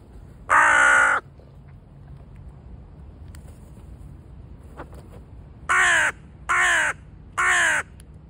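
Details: In Hamburg, among pigeons and magpies, a carrion crow gives one long, harsh caw, then after a pause three shorter, hoarse caws in quick succession, about one per second, over a faint background hum.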